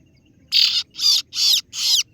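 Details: Kaso-kaso bird lure sound, called singo Barong, used to call in rivals: four harsh, buzzy, broadband notes of about a quarter second each, repeated roughly every half second, over a faint low hum.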